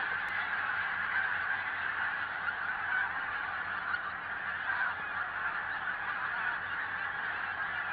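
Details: Pink-footed geese in Norway calling continuously, a dense chorus of overlapping high-pitched honks and wink-wink notes from a large flock, with no pauses.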